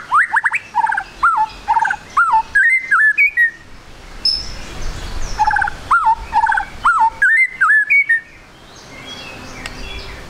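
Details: White-rumped shama song meant as a lure to make a bird sing quickly: varied phrases of whistled slurs, buzzy chatters and sharp clicks, two long bursts with a quieter stretch between.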